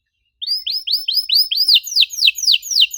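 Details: Canary sings a brief run of arching, rising-then-falling whistled notes, roughly four per second, clear and high after a moment of silence.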